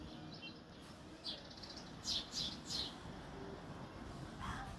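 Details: Myna calls: a few short, bright, chirping notes in a quick burst of about three, faint against a quiet background hiss, with one lower note near the end.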